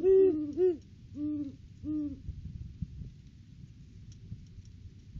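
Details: Off-season duet from a mated pair of great horned owls visiting the nest tree in December: two higher hoots followed by two slightly lower, longer ones, then faint low-frequency background noise.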